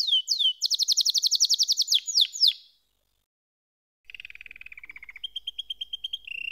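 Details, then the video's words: Singing canary delivering a quick series of sharp, high chirping notes with downward-sweeping slurs, then a short silence followed by a low rolling trill and a level, higher repeated note tour. "Canary SINGING Like a Pro with Proven Tone Techniques!"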